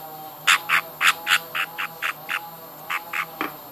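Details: Hand-fed baby budgies beg with a quick series of short raspy squawks, about four per second, with a soft hum underneath.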